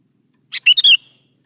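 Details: Sooty-headed bulbul in vigorous gacor song, used as a lure to get young bulbuls answering and singing: one short bubbly phrase of a soft lead note and three quick, loud, chattering notes.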